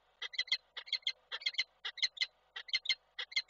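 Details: Peregrine falcon male in Koszalin, Poland, 12 December 2023, calling for his mate, leaving when she lands. Loud rapid bursts of two or three sharp, ringing notes come in tight groups roughly every half second.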